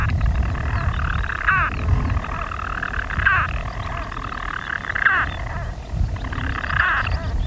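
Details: Unseen European storm petrels in their nest burrows on Skokholm, Pembrokeshire, Wales, recorded by day on 5 June 2013: continuous buzzy purring broken by a brief hiccup roughly every 1.7 seconds, four times, with low wind rumble throughout.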